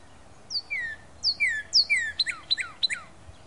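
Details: Northern cardinal song recorded in late February 2012, with bright descending whistled slurs followed by a quickening series of short, steep downward chirps, clear over faint background hiss.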